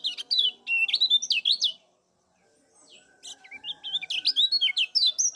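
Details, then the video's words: Lemon-bellied white-eye from Lombok, used as a lure call to stimulate other birds. Rapid, bright, twisting chirps and short warbled notes come in dense bursts, break off into a brief near-silence midway, then resume just as busily. "SUARA ALAM CIAK KECIAL KUNING GACOR NGEJOS || PANCINGAN TERBAIK BIKIN KECIAL CEPAT JOS"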